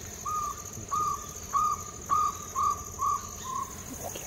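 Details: Wild Jungle owlet at Silvassa, India, giving seven short, hollow, level notes, about two per second, the last softer, over a thin, steady, high insect drone.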